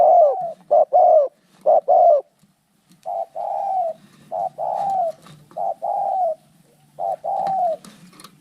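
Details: Fighting spotted doves: loud paired coos, short note plus a longer downslurred one, give way after a pause to a softer, evenly spaced run of flatter coos.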